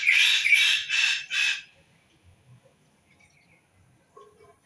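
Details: Four loud, scratchy, screeching bursts from a bird, repeated about every third of a second, then near silence with a few faint, low calls at the end.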